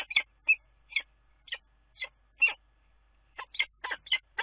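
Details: Common kestrel at a nest on the Dunea water tower in Scheveningen, 10 April: short, harsh, squealing notes with a gap of about half a second between them, then a faster cluster near the end. The background is quiet.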